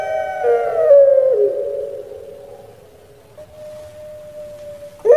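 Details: Caged Barbary dove, pelung variety kept in Java, Indonesia, in "crying" voice: one long harmonically rich coo sliding slowly downward and fading into a thin sustained tone, then a sharp fresh onset.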